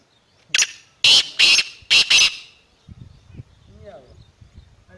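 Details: Black francolin calling from the top of a rock: a loud grating call of five harsh, buzzy bursts within two seconds, followed by quieter rustling and faint low sounds.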